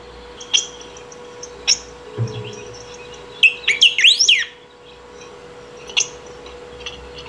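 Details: Saffron finch singing to call or train birds: a few isolated high chips, then a fast burst of sharply rising and falling whistled notes, followed by another single chip, over a thin steady tone.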